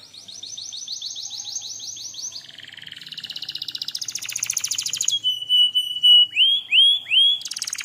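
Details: Canary lure song with a varied performance: rapid high trills, then a buzzy rattling passage, then loud sustained whistles and rising swept notes near the end.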